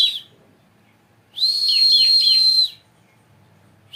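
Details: Captive bar-winged prinia from a breeding program, not yet in top form, holding a steady high whistled note with quick dipping chirps over it for about a second.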